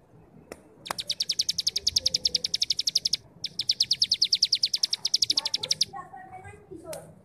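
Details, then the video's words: Cigun ngebrem song for training young birds: two long, fast buzzy trills of evenly spaced high pulses, about three per second-length stretch, separated by a brief gap, ending in softer scattered chirps. "Masteran Burung Cigun Ngebrem||Pancingan Cigun Muda Agar cepat bunyi dan gacor"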